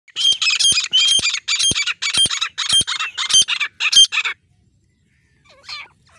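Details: Female grey francolin (teetar) calling: a rapid series of loud, harsh, squawking bursts, about eight in four seconds, then near silence with one faint distant note.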